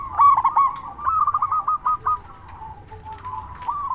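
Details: Local zebra dove calling loudly as a lure so that other doves respond; a burst of fast rolling coos runs into a stuttering series of shorter notes, then quieter low coos trailing off.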